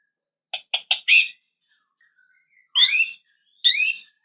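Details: White-rumped shama song meant to call out a rival: three short clipped notes and a buzzy burst, then after a pause two bright rising whistled phrases with stacked overtones.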